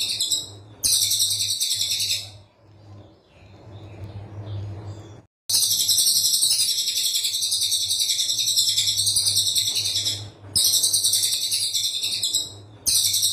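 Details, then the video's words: A brown tit-babbler (cililin coklat) used as a tutor recording for songbirds pours out long, dense bursts of very high, rapid chattering trills, several seconds each, broken by short pauses, with a low hum underneath. "Tembakan Cililin Coklat Rapat"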